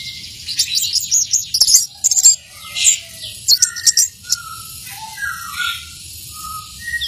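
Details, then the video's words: Orange-headed thrush (anis merah) sings a rich, varied run of sweet whistles and high scratchy trills, phrases tumbling quickly over a faint insect hum. "Anis merah teler"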